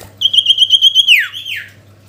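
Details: Sooty-headed bulbul calling a rival: a fast, even series of about ten pulsed whistle notes on one pitch, ending in two sweeping downward slurs, over a soft constant low hum.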